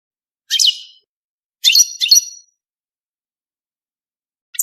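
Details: Brief high twittering bursts from a European goldfinch in mating song, three crackly chirping notes separated by pauses, with a fresh phrase starting at the very end.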